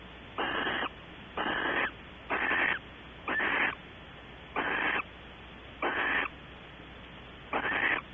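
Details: Evening webcam recording of a barn owl at a nest box at Audubon Starr Ranch, California, with mating activity. Seven short, noisy hissing screeches are spaced irregularly, roughly one per second, over a quiet background.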